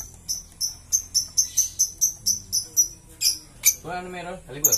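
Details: Green lovebird repeating sharp high chirps about four times a second, then a lower, buzzy, harmonic squawk near the end.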